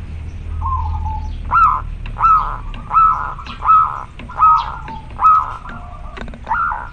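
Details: Male zebra dove of a local strain calling a female: a soft low coo, then a regular series of short rising cooing notes, about one every three-quarters of a second, over low background rumble.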